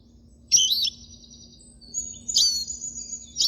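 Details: Siskin song fragment: a bright, buzzy burst of notes, a brief silence, then a longer thin sustained whistle ending in another short twitter.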